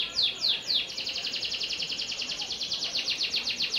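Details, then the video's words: Panda canary: three loud descending notes open into a long quick rolling trill of repeated buzzy, pulsing notes. "Kenari Panda Tanpa Ruji"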